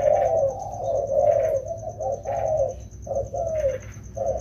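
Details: Spotted doves, wild-caught and being trained in the rainy season, cooing almost continuously in low rolling notes, long phrases broken by brief pauses, a thin high tone constant in the background.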